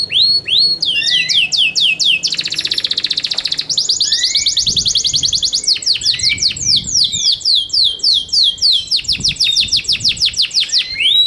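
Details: Yorkshire canary kept in captivity, singing loudly: repeated downward-sweeping whistled notes alternating with rapid buzzy trills and rolling tours, phrases shifting every second or two, with faint low background hum.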